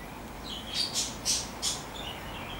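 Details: Fieldfare (Turdus pilaris) giving four harsh, rasping chack notes in quick, uneven succession over about a second, against a faint low background hum.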